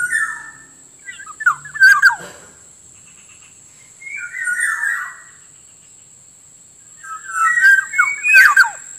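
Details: Black-naped oriole lure song for attracting wild orioles and training reluctant caged singers: fluting whistled phrases mixed with sharp clicks, three bursts with quiet gaps, over a steady high background tone.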